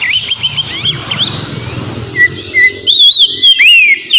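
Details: Oriental magpie-robin song meant to provoke a rival: muffled chatter under rushing noise for two seconds, then clear, spaced slurred whistles rising and falling, repeated about twice per second.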